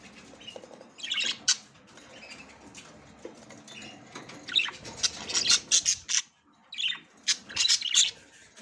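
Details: A female budgerigar tries to get into the nest for the first time. After a few scattered calls, quick, scratchy high chirps come in dense, rapid clusters during the second half.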